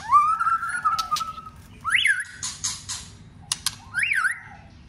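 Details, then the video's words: White-rumped shama, trained for song contests: long sliding whistle, then loud rising-and-falling whistled notes separated by harsh buzzy bursts and single sharp clicks. "chòe Lửa đập tạch liên tục.đập xoay kích lửa hót căng.luyện chòe Lửa hót đấu"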